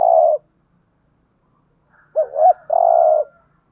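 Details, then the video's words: Spotted dove kept as a decoy, in driving-coo style: the tail of one long coo, a pause, then a quick double-looped note and a long, even, hoarse coo. "chim cu gáy thúc gù/ chim cu gáy mồi có giọng bài bản/ cu đất thúc gù"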